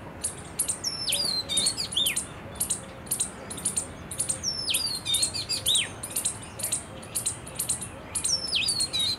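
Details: Oriental magpie-robin calling, recorded 31 March 2023: loud, clear whistles sweeping sharply downward, mixed with quick chirps and scratchy notes, in bursts every second or so over a soft hiss.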